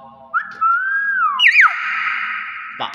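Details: Talking common hill myna said to greet guests with assalamualaikum, whistling a long level tone broken by quick warbled twists and a buzzy held note; a person's voice is faintly heard.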